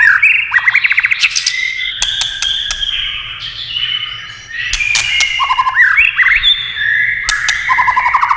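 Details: Tail-tapping White-rumped shama, clicking its tail to provoke song, delivering loud fluty whistles and rapid stuttering trills in varied phrases, with sharp clacks breaking in every few seconds.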